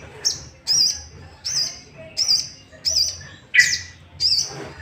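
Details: Sooty-headed bulbul voice used to provoke rival bulbuls into singing; short, thin, high whistled notes repeat rapidly, one lower buzzier note near the end, with faint low background noise.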